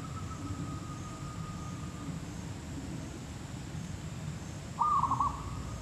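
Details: Zebra dove, called perkutut lokal or merbuk kampung, at a trapping session: a single short rolling coo phrase of quick pulsed notes near the end, over a steady low hum and a thin high electrical whine.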